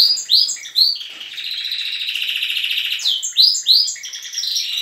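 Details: A mixed group of young and adult canaries sings in the morning at a breeding aviary. Quick upswept whistled notes open and close a sustained rattling trill, several birds overlapping in a lively chorus.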